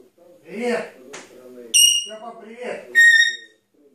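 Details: Pet Grey parrot indoors, speaking its first words: a few speech-like syllables, then two loud, pure whistles with bright overtones, the first high and the second lower, over a murmur of background voices.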